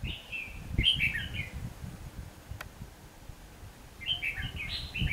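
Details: Red-whiskered bulbul used as a decoy while trapping wild birds, 19 November 2015: two loud bursts of rapid, chattering warbled notes several seconds apart, with low rustling and knocking sounds in the background.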